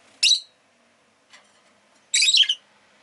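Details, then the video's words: Rosy-faced lovebird, a pet bird, uttering a sharp shrill chirp, a faint note, then a longer burst of rapid grating chirps. "Lovebird Chirping Sounds"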